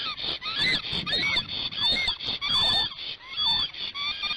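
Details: Upset male Black stork defending its nest in Hungary, with the female away, recorded by nest camera on 15 March 2019 at 12:30. Dense, loud run of looping whistled notes and wheezy sweeps, overlapping with rapid clicks.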